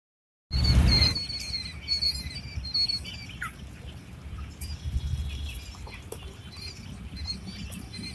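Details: Quail chicks eight days old give thin, high peeps in short repeated bursts, each with a fainter lower overtone. A brief louder rustle comes at the start, and steady low background rumble runs underneath.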